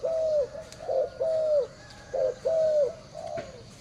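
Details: Spotted dove calling, a series of soft low coos around the same pitch, some notes slightly falling and drawn out, others short and doubled, repeated in a loose rhythm with faint background hiss.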